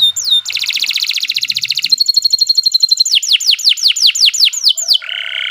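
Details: Canary master song for training songbirds: a fast buzzy trill, a steady pulsed run, then about ten falling whistled sweeps, ending on a lower buzzy note.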